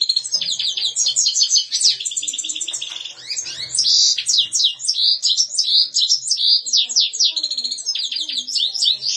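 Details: European goldfinch singing a fast, continuous twittering song of high, tinkling notes and short buzzy trills, with rapid pitch jumps and barely any pauses.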